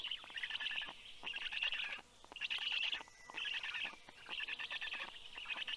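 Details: Black stork chicks greet a parent returning with fish by growling, 9:56 AM on 11 June 2022; harsh rasping bursts of about a second, separated by short quiet gaps, steady rhythm.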